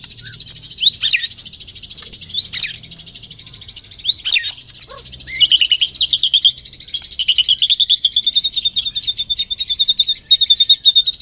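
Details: White-rumped shama song played to coax caged birds into singing: harsh scratchy bursts at intervals, then a long, fast, chattering series of high, buzzy repeated notes.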